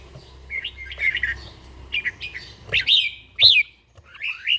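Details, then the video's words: Morning singing from a caged red-whiskered bulbul in daily training: warbled, fluttering whistles, then stronger rising-falling notes. A loud arched whistle comes near the middle, followed by a brief silence and a softer closing phrase. "chàomào HÓT SÁNG"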